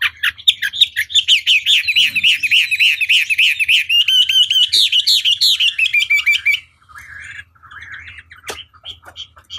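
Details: Chinese hwamei song played as a long lure to provoke a rival into answering: a fast run of looping, wavering whistled notes, about three a second for six seconds, then quieter scattered chirps with one sharp click.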